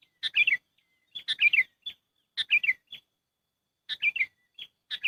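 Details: Sooty-headed bulbul lure call used for trapping birds: short bursts of bright, bubbly chirping notes, several quick descending phrases roughly once a second, separated by silence.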